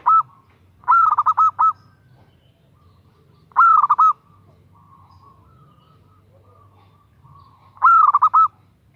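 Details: A female zebra dove calls a male with three separate bursts of rapid, rolling coos. Each is a tight stuttering phrase of four to six notes, spaced by quiet gaps of a couple of seconds.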